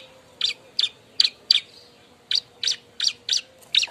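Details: Bar-winged prinia calling noisily while looking for a mate: short, sharp, buzzy chirps, often in quick pairs, about nine in four seconds, over a faint steady low hum.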